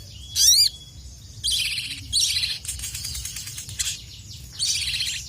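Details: A crested jay, known as sogon, worked up and challenging rivals. One sharp, ringing, bent rasp opens, then longer, broad, hissing harsh phrases follow at intervals of about a second.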